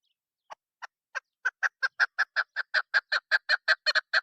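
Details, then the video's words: Female chukar partridge call used for hunting: a rapid series of clucking notes that starts slow and sparse, then speeds up into a steady chatter of about nearly three notes per second. "Madi Chakor Awaz Female Hunter Soundصدای شکاری مادی چکور کبک"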